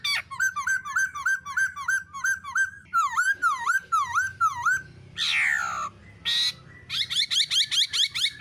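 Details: Black-throated laughingthrush pair, female rolling and male shrilling, played to excite other birds into singing: evenly repeated whistled upslurs, a series of V-shaped whistles, two loud harsh descending screeches, then quick rising notes again.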